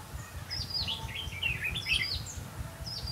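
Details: Red-whiskered bulbul used as a trapping decoy on 5 November 2016 pours out a dense, rich warble of looping whistles and chirps, nearly continuous over three seconds, with light low background noise.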